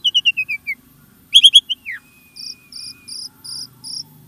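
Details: Starling song for prompting caged birds: a descending run of whistled notes, three loud calls and a falling slur, then a thin high note repeated about every third of a second.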